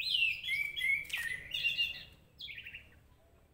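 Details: Orange-headed thrush song played to provoke a bird into agitation and singing: a sweet, wavering whistled phrase with falling slurs and a sharp note, ending in a softer descending series of quick chirps.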